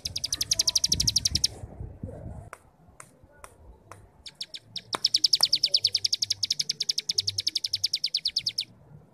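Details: Starling 'ngebrem' rattle meant to train young birds to sing: a burst of quick, high, dry chips, a gap with scattered clicks, then a longer fast run of even, piercing notes that gradually fades.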